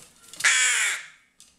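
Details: A hungry pet rook begging for food gives one loud, harsh, drawn-out caw lasting about half a second, hoarse and slightly falling, followed by a brief faint rasp.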